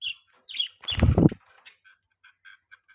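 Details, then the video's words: Budgerigar chirps: a few sharp high notes, then a loud low flutter or thump, followed by a string of soft, evenly spaced little ticks and chirps. "Beautiful Budgies Chirping Sounds | Budgies Parrots Chirping Sound"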